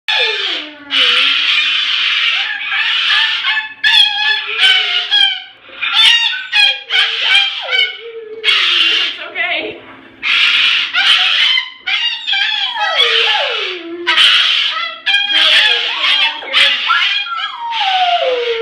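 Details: Three pet cockatoos (a Moluccan and a Goffin's) and a retriever dog scream together in harsh, raspy, drawn-out shrieks that often fall in pitch, set off when one bird looking out the window gave an alarm call.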